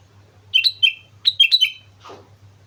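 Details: Sooty-headed bulbul, singing busily at Mount Slamet: bubbly, chattering phrases of short two-part notes stepping down in pitch, followed by a brief rustle, over a steady low hum.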